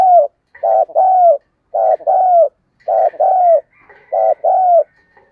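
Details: Spotted dove cooing to provoke a fight, chiêu gù style: deep soft paired hoots, each brief note followed by a longer gently falling coo, the pairs recurring roughly every second against silence.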